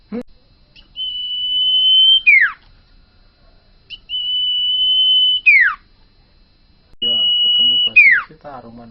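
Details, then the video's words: Common iora, a bakalan sirtu singing gacor owor-owor: sustained level whistles, each closing with a quick falling slur, given three times, with low murmuring voice-like sounds under the last phrase. "burung sirtu bakalan gacor owor-owor"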